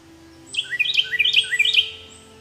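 A lovebird gives a quick burst of shrill, squeaky chirps, each slurring upward, packed together for about a second and a half over a faint steady hum.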